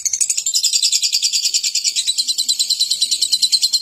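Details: Lovebird ngekek singing: a steady, rapid, grating chatter of evenly spaced buzzy pulses, roughly three per second, continuing without pause through the whole stretch.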